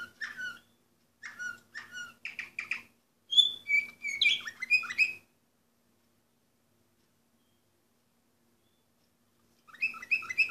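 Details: Orpheus canary, 2014, delivering rapid chirped and whistled song phrases with varied pitch, a pause of several seconds, then the song resumes; faint steady hum in the background.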